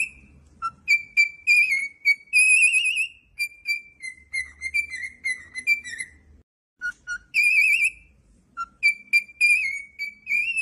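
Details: Cockatiel song of clear whistled notes: short repeated chirps and longer warbling, quavering tones, several falling slurs, a short pause midway, then more quick whistles and a trilled note.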